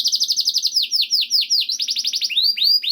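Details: Canary song in a masteran recording for stimulating canaries. Rapid, evenly spaced down-slurred notes slow into broader sweeps, then a quick trill and rising whistled notes.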